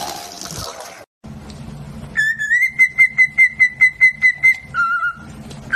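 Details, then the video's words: Pet talking parrot whistling indoors: after a brief murmur, a run of about a dozen clear, evenly spaced whistled notes on one high pitch, then a slightly lower held whistle. "Smart talking parrot"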